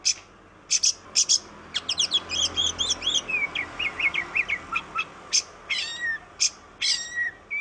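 Oriental magpie-robin singing a varied run of sharp high notes, rapid slurred whistles and rising phrases, delivered in quick bursts with brief pauses.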